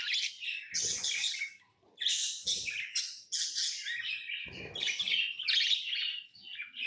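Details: Tamed pet lovebirds chirping: dense, harsh, high-pitched twittering in overlapping bursts, with brief lulls near two and four seconds, and soft low thumps beneath some bursts.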